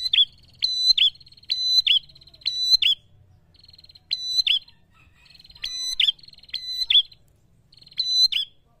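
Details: Energetic prinia song used to provoke rivals, a run of loud clipped notes linked by a steady buzzy trill, repeated in quick pairs and triplets with brief gaps, clean background.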